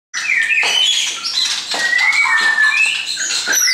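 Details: Several caged shamas brought along by a friend sing together, a tangle of clear whistled phrases with sliding notes and bright high flourishes running throughout.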